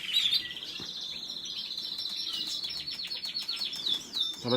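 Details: Canary song: a continuous high trill of rapid repeated notes, held at a steady pitch for several seconds, then shifting into faster rolling notes and rising sweeps, with a few lower chirps.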